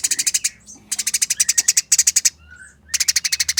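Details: Fighting Eurasian tree sparrows give clear, fast, tightly packed harsh chattering, with rattling bursts of about eight to ten rasping notes that repeat after short pauses, and a faint thin chirp between them.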